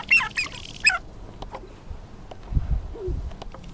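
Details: Male sharp-tailed grouse on a lek at first light on a cold, wet April morning, Arrowwood National Wildlife Refuge, North Dakota, breeding display: quick burst of high, harsh cackling notes, then soft low thumps and a brief hollow coo.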